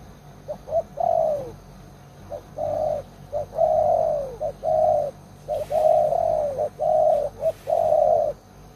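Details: Old spotted dove used as a lure for wild doves, loud-voiced, cooing steadily in repeated phrases of short clipped notes and longer drawn-out, slightly falling coos, about one a second, with faint hiss in the background.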